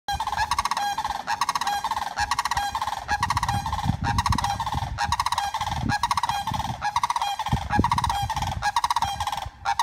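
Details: Female sandhill crane reunited with a few flock mates after 114 days of rehabilitation for a broken wing, calling loudly: continuous rolling, trumpeting rattles in bursts about every second for ten seconds, with low background rumble.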